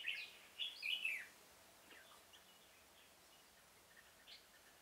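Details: Red-whiskered bulbul kept as a trapping decoy in a pomelo garden, October 2017. One quick burst of clear, warbled whistles opens the recording, followed by only faint distant notes.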